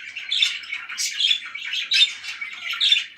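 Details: Parakeet chirps and squawks tumble together in a lively, scratchy warble, with louder grating notes about every second and thin whistled tones threaded through.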